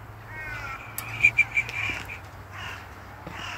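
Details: Crows flocking at a castle: a quick run of four short, harsh caws in the middle, with more distant caws and low background hum around them.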